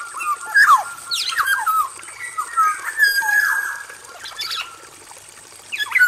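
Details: Black-naped oriole, a male kept in an aviary, delivers a busy run of fluty whistles and bent slurs mixed with scratchy harsh notes, nearly continuous for six seconds, with a faint steady high hiss behind.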